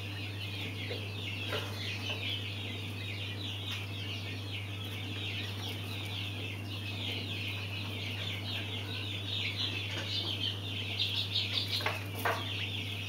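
A brood of mountain quail chicks keeps up a steady chorus of high, thin peeps, louder near the end, over a constant low electrical hum.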